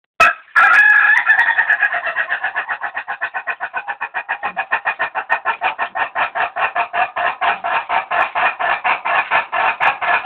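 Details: A laughing-chicken rooster from Jeneponto, South Sulawesi, gives a long crow of rapid, even, cackling syllables, like drawn-out laughter.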